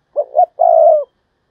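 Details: Decoy spotted dove calling in the Vietnamese 'thúc bổi' style, used to lure wild doves: a short, husky two-note coo, then a longer, steady, level coo that fades at the end. The background is silent.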